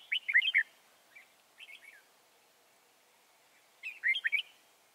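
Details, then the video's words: Red-whiskered bulbul, a wild bird trapped at Chùa Hương, Vietnam, 24 March 2018, singing quick, bubbly warbled phrases: a loud tumbling burst, two softer short figures, then another rapid, rich phrase after a pause. "Bẫy chào mào bổi Chùa hương chơi tít mù ngày 24/3/2018"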